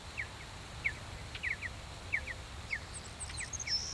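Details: Mountain bluebirds at a nest box in Alberta, near aspen forest: a series of short, soft, downslurred chirps at irregular intervals, about eight in four seconds, with thin, higher whistled notes near the end and low background rumble.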